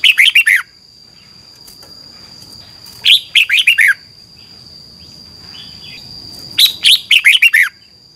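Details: Red-whiskered bulbul in Thailand, 'phleng boen' style song for teaching birds to count phrases: three fast warbled phrases of about five liquid, downward-slurred notes, roughly three seconds apart, over a continuous high tone.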